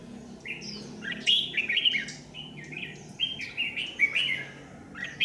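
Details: Trapping scene in Vietnam, 27 January 2019, with a red-whiskered bulbul as lure bird on power lines; steady stream of cheerful warbled notes and quick whistled slurs over a low background hum.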